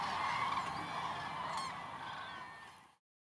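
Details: Cranes calling in the rain give loud, overlapping trumpeting calls, a dense chorus of rolling bugled notes from many birds at once.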